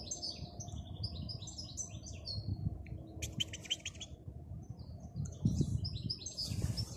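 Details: A wild European goldfinch sings soft, high twittering phrases, with a brief rapid buzzy series midway, over a continuous low background rumble.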